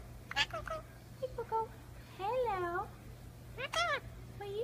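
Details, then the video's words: Pet Indian ringneck parakeet indoors mimicking speech: a run of short harmonic, voice-like syllables, one drawn-out wavering phrase in the middle and sharp chirpy bursts near the end, over a steady low room hum. "the Talking Indian Ringneck Parakeet (Parrot) Talking, Kissing"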